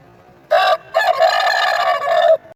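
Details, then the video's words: Aseel rooster giving a loud hoarse crow: a brief first note, a short break, then a long drawn-out rough call of about one and a half seconds. "Aseel Roostar Sound effect// aseel roostar sound"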